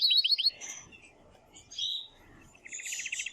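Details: Male canary singing to prompt a female to mate, performed for young birds to hear: short bursts of quick notes, a buzzy phrase and a closing fast trill, separated by quieter pauses.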